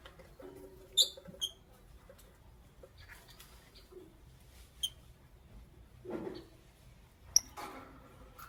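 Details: Morning chirping from lovebirds, a Green Fischeri and a Pastel Blue: scattered short, piercing high chirps, a quick pair early on, then single sharp notes spaced a few seconds apart, with soft rustling and low scratchy sounds between them.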